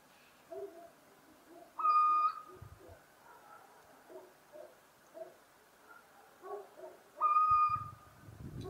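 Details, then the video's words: [1, 'Little owl (Athene noctua) giving two drawn-out, clear, slightly rising whistled hoots about five seconds apart, with soft low burbling notes from other animals repeating in the background.'] "Mochuelo europeo (Athene noctua) Canto"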